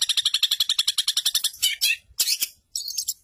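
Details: Long-tailed shrike used as a song tutor, mimicking house sparrow, canary, lovebird and other birds: a rapid run of about fifteen sharp, high chips, then harsh scratchy bursts echoing other birds.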